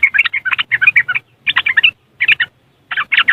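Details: Riwikan chatter of a yellow-vented bulbul from West Java, Indonesia, taken with an Android phone for luring caged birds to sing: four rapid clusters of sharp, warbling chirps separated by short gaps, over a soft low drone.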